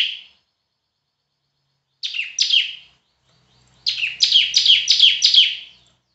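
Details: Semi-active bar-winged prinia (ciblek) in a loud tutor recording: a brief note, then two buzzy down-slurred notes, a pause, and a run of six rapid sharp high notes with a faint low hum beneath.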